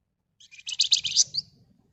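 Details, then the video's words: Red-whiskered bulbul giving a short burst of ngebren rapat, nyerecet song: a rapid buzzy chattering trill that builds and ends in a higher sharp note. "Burung Flamboyan Gacor Ngebren Rapat Nyerecet"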